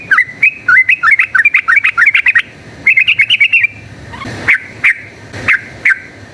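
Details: Yellow-vented bulbul giving a rapid fighting song meant as a lure: dense bubbly chattering runs of rising and falling chirps, then four spaced loud single notes near the end.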